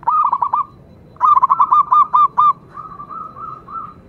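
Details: Local-type zebra dove in full song, a quick run of clipped, bubbling coos, then a longer stuttering series, ending in softer drawn-out rolling notes; no other sounds stand out.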